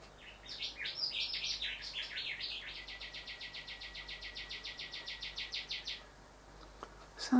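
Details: Male Rufous whistler visiting bedroom and bathroom windows to look at his reflection delivers loud varied whistled notes, then a long even run of about thirty sharp whipping notes over three seconds, ending in a scratchy noise.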